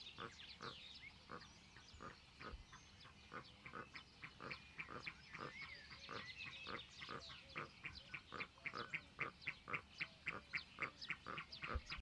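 Magellanic steamer duck giving a long series of harsh, grunting pulses, about three or four a second, growing louder and more even toward the end.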